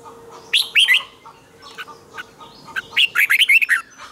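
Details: Red-whiskered bulbul morning song in the double twisted, strained style, meant as a decoy for training birds. Two clusters of quick, clear whistled and warbled notes are heard, with lighter chirps between them.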